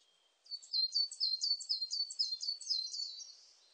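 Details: Coal tit singing a thin, high, rapid series of paired notes, a bright 'pee-chew' repeated about eight times in quick succession; recorded 2020.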